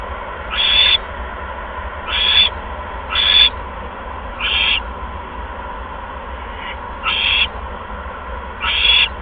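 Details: Nest of owls filmed 16 February 2015 at 8:38 PM while a second mouse is delivered; a run of about seven brief, harsh hissing screeches at uneven one- to two-second gaps over background hum.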